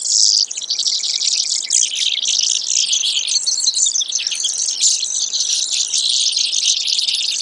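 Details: High, dense trilling and buzzing by a Brewer's sparrow carries on nonstop, varying between faster rattles and slightly lower buzzy phrases.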